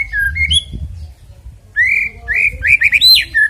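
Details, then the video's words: White-rumped shama song meant to spur birds into singing before a contest; clear slurred whistles, a quiet gap with low background rumble, then a lively series of rising and falling whistled notes. "EFEKTIP AGAR CEPAT BUNYI BUAT PANCINGAN MURAI BATU JELANG LOMBA KICAU"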